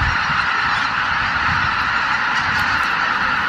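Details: Dawn roost departure of over 83,000 Greater white-fronted geese at Miyajimanuma marsh, 23 April 2017, in poor weather; thick, constant honking clamour from countless birds at once, with low rumbling underneath.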